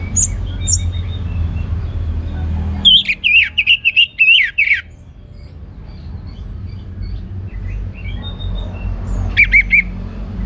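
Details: Orange-headed thrush pouring out a two-second string of rapid, wavering whistles in ngeplong gacor style, then a pause and a short closing burst.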